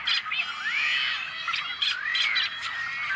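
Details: Tricolored Blackbirds, a rare species, calling from an on-farm nesting colony in California's Central Valley in May 2012. Harsh squawks mix with drawn-out, upslurred nasal whines over a steady murmur from many birds.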